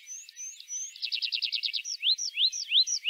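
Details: Tree pipit of Central Russia in song: a few thin upslurred whistles, then a rapid run of repeated notes, ending in loud rising slurred notes about three per second.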